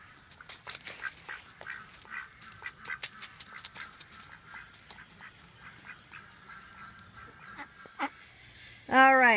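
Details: A male Pekin domestic duck gives soft, breathy, raspy whispering calls several times a second, since drakes cannot quack; a loud female-like quack breaks in at the very end.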